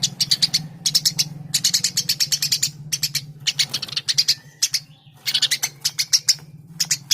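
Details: Eurasian tree sparrow, Passer montanus, in vigorous continuous song; dense, fast strings of high, metallic chirps with brief gaps, over a steady low hum.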